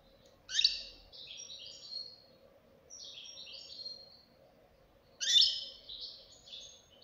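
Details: Young European goldfinch, a fledgling singing with adult-like quality: three high bursts of buzzy, twittering notes sliding downward, separated by short pauses, over a faint low steady hum.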